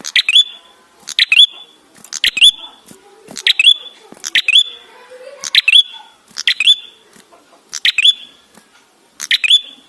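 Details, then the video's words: Ashy tailorbird song used for luring other birds. Brisk bursts of clicks run into a short, high, flat whistle. About nine phrases come in quick succession, with soft background noises between them. "Prenjak gacor suara ampuh untuk pancingan"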